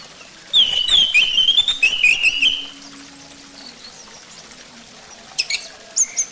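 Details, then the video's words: Orange-headed thrush song used as a lure to prompt a bird to sing, a run of loud whistled, warbling phrases in the first half, then quieter scattered high chips. "Pancingan Ampuh Buat Anis Merah Biar Cepat Bunyi"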